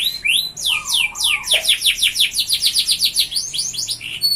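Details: A canary sings strongly to lure and tutor other canaries. Slower descending high notes speed up into a tight, pulsing trill of sharp chirps repeated many times a second. A short lower whistle comes early on.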